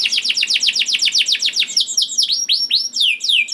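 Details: Juvenile canary singing to prompt other canaries into song: a rapid series of high downslurred notes, several per second, shifts into slower rising whistled sweeps.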